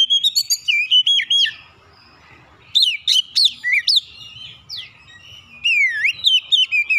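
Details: Lure song of an Oriental magpie-robin meant to set rival birds singing: a varied run of loud whistles, with wavering slurred phrases, quick sharp upswept notes and sweeping downslurs, separated by short quiet gaps.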